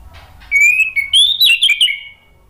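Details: Short burst from a male orange-headed thrush in spontaneous reply: a level whistled note, then rising and falling twisted notes that end in a softer trailing whistle.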